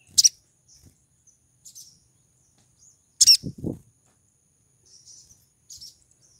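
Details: Female pied triller in breeding condition calling for a male. Bright, high chirps open the sequence and recur about every three seconds with faint twitters between; low knocking thuds follow the middle chirp.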